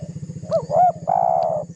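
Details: Single phrase from a spotted dove provoking a rival, a lure call: two short curved notes then a sustained coo, with a loud low pulsing hum throughout.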